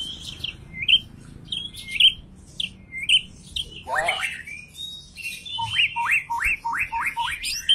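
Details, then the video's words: Agitated white-rumped shama singing to spur other shamas into song: short high whistled phrases spaced about a second apart, then a sweeping downward slur and a fast run of repeated hooked notes, with low background rumble. "Murai Batu Ngamuk Rekomended untuk Pancing MB lain ikut Gacor + Fighter"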